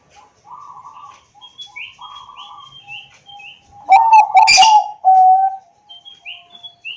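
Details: Bangkok-type zebra dove, phone-recorded in Wiradesa, Pekalongan, Central Java, singing to prompt other doves to sing: short rolling coo phrases repeated every second or so, then a loud burst of fast staccato cooing, with high chirps from other birds.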